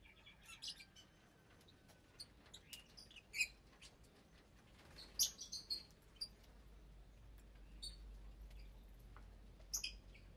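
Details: Around 25 caged lovebirds in a colony aviary at meal time. The flock includes parblue, euwing, opaline, lutino and albino birds, with breeding pairs raising chicks. Sharp, high chirps come in scattered, irregular bursts over a low, steady background rumble.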